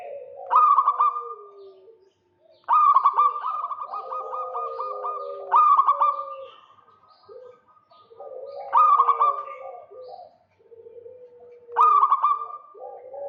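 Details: Local zebra dove calling vigorously in the rattling kerot style to lure a rival: bursts of fast, throaty, pulsed coos repeated about every three seconds, each trailing into a level hum, with softer, lower cooing from other doves between phrases.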